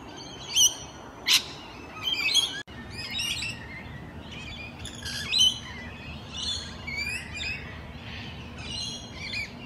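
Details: Several wild Rainbow Lorikeets (Trichoglossus moluccanus), courting and socialising in their natural habitat in the morning, give overlapping shrill, harsh screeches and chattering squawks about every second over a low background hum.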